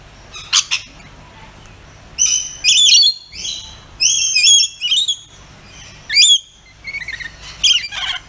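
A rainbow lorikeet gives bursts of shrill, screechy chattering calls, high and harsh, in clusters of rapid notes with short pauses between.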